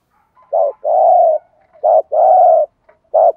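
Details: Spotted dove decoy bird calling in the urging 'thúc gù' style used to lure wild doves: low hoarse coos, a short note then a long drawn-out one, repeated in pairs against a silent background.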